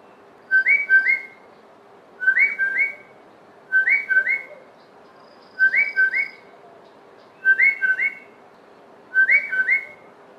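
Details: A Southern Boubou in an Eastern Cape, South Africa garden gives clear, liquid whistled phrases of two or three quick rising notes, repeated about every two seconds over a faint steady hum.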